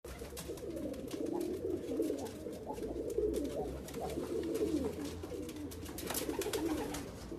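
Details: Persian fancy pigeons cooing: a continuous low, throaty bubbling of overlapping coos from several birds, in an enclosed, echoing space.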